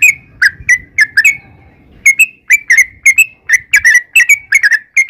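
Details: Yellow-vented bulbul song used as a lure: a string of sharp whistled notes with quick upward and downward slurs, paired and grouped irregularly, and faint low rumbling noise early on.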